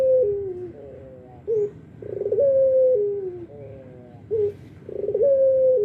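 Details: Repeated cooing of an albino Barbary dove that calls morning, noon and night: a falling coo, a short rising note, then two more long level coos stepping down, in a steady rhythm.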